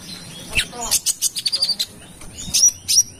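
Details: Brown-throated sunbird from Kalimantan in lively lure song. Bursts of sharp high chips quicken into a short rattling run of notes, then two more piercing high calls near the end.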